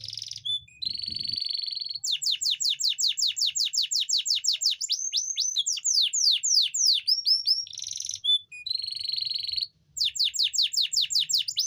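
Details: Canary song used to bring reluctant females into breeding condition: rapid repeated high downslurred notes in long fast trills, broken by steady buzzy rattling tones, about two and a half notes per second; faint low hum.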